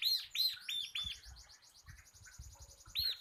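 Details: Caged local bar-winged prinia of the crystal 'kapas' type giving lively 'ngebren' tutor song: a few loud arched whistled notes, a fast thin chattering trill, then another loud arched note, with faint low knocking in the background.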